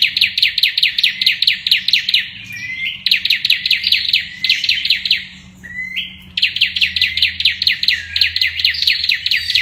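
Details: Olive-backed tailorbird singing in rapid-fire 'machine-gun' style: bursts of fast, sharply repeated high notes, about ten per second, broken by brief buzzy slurred notes, with a faint low hum in the background.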